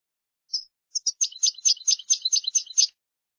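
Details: European goldfinch singing on a tutoring recording for young birds: a couple of separate high chips, then a fast, regular series of sharp twittering notes for about two seconds, clean and without background noise.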